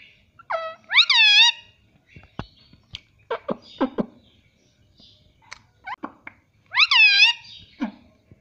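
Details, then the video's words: Pet Indian ringneck parrot calling indoors: two bright rising-falling harmonic squawks at start and end, with short clicks and soft chatter between them. "cute Indian ringneck parrot"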